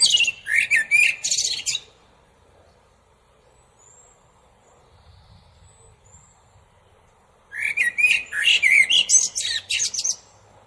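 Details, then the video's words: Two song phrases from a common blackbird, separated by about six seconds of near silence. Rich, warbled whistles lead into jumbled, thin, high chirps at the end of each phrase. "أجمل تغريد طائر الشحرور"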